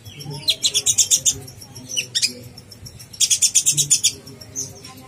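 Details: Konin blorok singing actively, used as master song to train contest birds and stir up young konin: two bursts of rapid, high, sharp chirps repeated in quick runs, with a brief squeaky note between them.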